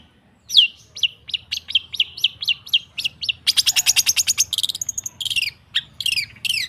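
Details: Cendet, the long-tailed shrike, singing as a provoking recording for stalled birds: it opens with a row of short downslurred whistles about three per second, then a buzzy rapid rattle and mixed sharp notes.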